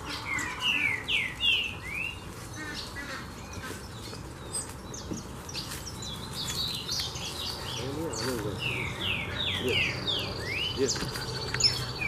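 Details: A large group of saffron finches feeding on layer-hen feed scattered at a small farm chirps together in a dense chorus of bright, sharp chips and short warbled phrases, with a low rumbling background.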